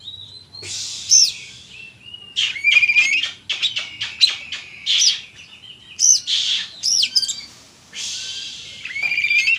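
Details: Oriental magpie-robin in loud, energetic song: dense sequences of sharp whistles, trills and harsh buzzy notes, almost continuous over the whole stretch.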